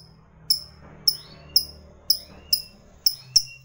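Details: Lovebird fighter ngetik: crisp, piercing single ticks repeated roughly every half second, each a short bright chip with a faint lower trailing whistle, against quiet background hum.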